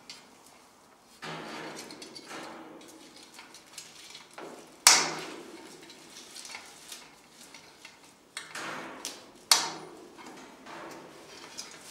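Sharp clattering and knocking, like dishes or a hammer, in a small room, with no clear animal voice.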